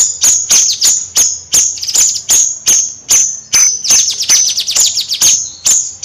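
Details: Actively singing Bayeman bird, nyrecet style: rapid, piercing high clicks about every 0.35 seconds, with short bursts of descending buzzy trills between some strokes, clear and close.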